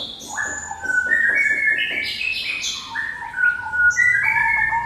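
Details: Orange-headed thrush song used to lure other birds into singing: clear, ringing whistled phrases that step up and down in pitch, with overlapping high chirps, delivered in a steady flow.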